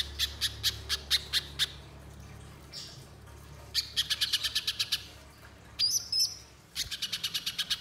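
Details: Little spiderhunter singing as a lure for other birds: runs of dry, high ticking chips broken by quiet gaps, with a brief thin whistle and a squeaky upward note between the series.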